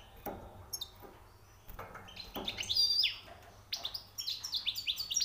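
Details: Newly captured European goldfinch sings high, rare notes: spaced sharp chirps build into fast, liquid twittering runs of bright, slurred notes, ending in a rapid tinkling series.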